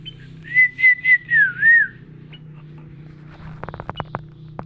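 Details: Adult sooty-headed bulbul making chick-like calls: four clear whistled notes in quick succession, wavering and ending with a dipping slide, followed after a pause by a burst of short sharp clicks over a low steady hum.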